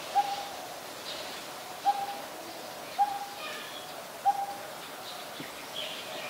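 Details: Coppersmith barbet calling in Ubon Ratchathani, Thailand, on 16 December 2019: four short, mellow, low-pitched tonal notes spaced unevenly about a second or more apart, over a hushed background with faint higher bird chatter.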